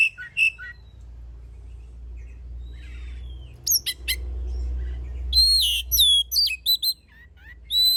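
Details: Oriental magpie-robin used as a singing lure for other birds, giving scattered sharp clicks and brief whistles, then a dense burst of high varied chirps, over a low steady hum.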